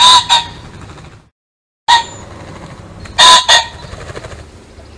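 A pheasant gives loud, harsh, two-note crowing calls, each pair of notes sharp and close together, repeated about every one and a half seconds.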